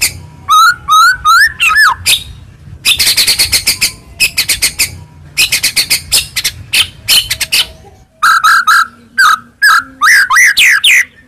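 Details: White-rumped shama song played to stir a silent shama into singing: rising whistled notes, harsh rattling bursts in the middle, then loud clear whistles and upsweeps, with a low hum underneath.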